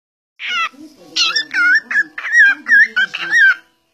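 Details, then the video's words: Pet cockatiel talking: a string of short, raspy, speech-like syllables with sliding harmonic tones, several ending in a wavering warble, delivered in quick bursts over about three seconds. "Calopsita falando"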